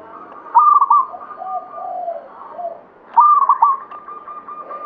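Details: Local zebra dove of the Banyumili katuranggan type in full song, a bright stuttering coo phrase repeated after about two and a half seconds, with quieter lower coos from other doves in the background.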